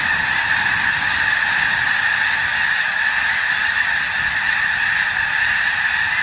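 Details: Several thousand snow geese feeding on a newly sprouted wheat field on the Skagit Delta, Washington State, being moved off by bird bombs. A steady, dense roar of overlapping high, nasal honks fills the whole stretch without pause.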